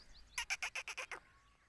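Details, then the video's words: A black francolin gives a harsh, grating call of seven rapid scratchy notes, about eight a second, finished in under a second against a quiet background. "Kala Teetar Ki Awaz | Black Francolin voice | Kali Mai Ki Awaz"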